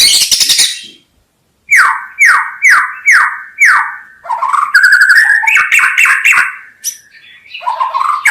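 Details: Lure recording of a murai batu (white-rumped shama): high chattering burst, silence, then five evenly spaced downslurred whistles followed by varied, rising and falling warbled phrases.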